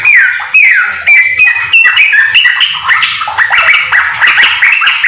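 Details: ['Yellow-vented bulbul, a house-kept bird in nonstop song with white-rumped shama phrases, used as a tutor for other bulbuls; opening downward slurred whistles give way to a dense, chattering run of notes.']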